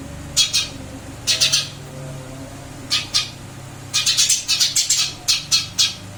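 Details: Eurasian tree sparrow kept in a cage after a move to a new one: scattered doubled chirps at first, then a quick run of about ten sharp chips, over a quiet hum.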